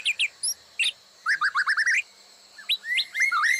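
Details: White-rumped shama master song for training, mixed with imitated fills including cililin, kapas tembak, canary, lovebird and sogok ontong: quick clear whistled phrases, rising slurs and sharp repeated notes in bright bursts.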